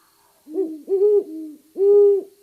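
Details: Male and female Great Horned Owls in Maine hooting together in duet, the female slightly higher pitched: three low, rounded hoots with overlapping second voice, steady and clean, nothing else audible.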